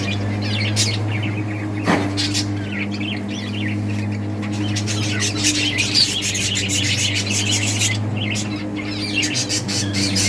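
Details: Breeding colony of budgerigars playing, a dense flock chatter of rapid high chirps, squeaks and warbles overlapping throughout, over a steady low electrical hum.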